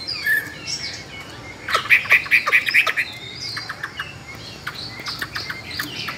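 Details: Captive Chinese hwamei, two years caged and a good singer, gives a quick burst of five or six loud, ringing, clear notes followed by softer varied chirps and twitters.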